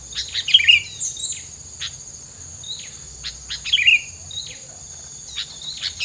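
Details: Sharp twittering chirps come in two bursts over a background of insect-like ticking and a steady high-pitched hiss, played as filler sound to keep rivals away.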